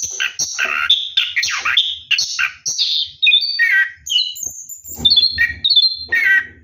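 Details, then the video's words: Orange-headed thrush singing in ngeroll style at night while bathing, a continuous loud stream of mixed whistles, harsh sweeps and ringing repeated notes with hardly any breaks, low thumps near the end. "KICAU ANIS KEMBANG NGEROLL MANDI MALAM"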